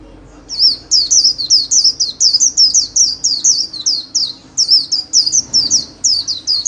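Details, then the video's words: Trained white-eye delivering a continuous solo líu song, a steady stream of high, looping, chattering whistles repeated about three times a second for over six seconds. "KHUYÊN LÍU SOLO RẤT HAY - LUYỆN KHUYÊN LÍU MỖI NGÀY"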